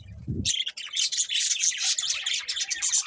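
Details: Budgerigars keep up a loud, unbroken warbling chatter of high chirps and trills after a brief low thud at the start.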